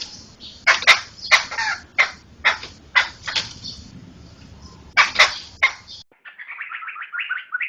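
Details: Laughingthrush song played as a tutor for training songbirds: harsh broadband bursts and sharp notes for about six seconds, then a different rapid run of short wavering whistles near the end.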